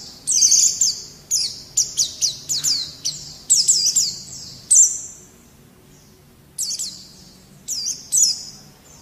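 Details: White-eye (pleci) tutor recording of energetic 'gacor' song for caged birds: bursts of sharp, high descending chirps in quick clusters, interrupted by brief pauses and one longer silence before the twittering resumes.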